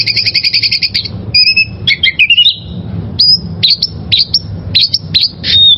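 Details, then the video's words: Oriental magpie-robin from the wild, song for training caged birds: a fast rattling trill opens, then long level whistles, tangled slurred notes and a run of sharp rising-falling whistles spaced about half a second apart. "Masteran Suara Burung Kacer Liyar"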